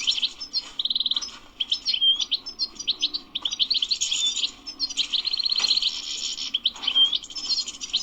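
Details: European goldfinch described as wild, singing a long twittering phrase: dense high chirps, a short buzzy stretch, pure whistled notes and bursts of rapid trills, with faint low background noise.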